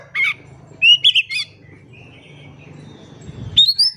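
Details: Oriental magpie-robin, a lively singing bird used as a lure to make silent birds sing: a few sharp whistled notes, a rising whistle and a thin drawn-out tone over a faint low hum.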